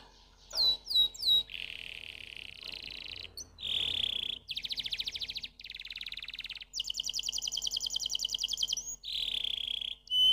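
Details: Canary song made of varied rapid trills: a few sharp descending notes, then long buzzy rolling tours at mid and very high pitch, each held a second or more with brief pauses between.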